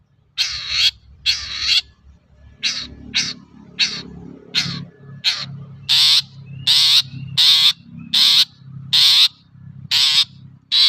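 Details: Long-tailed shrike, its song used to prompt other shrikes to sing, delivers loud, harsh, rasping notes repeated roughly every half second over a low background hum.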